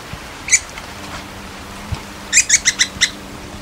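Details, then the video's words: Little Woodpecker (Veniliornis passerinus), a South American species, gives a single sharp note, then a quick run of six high, squeaky notes at about seven per second, over a faint low hum. "Little Woodpecker"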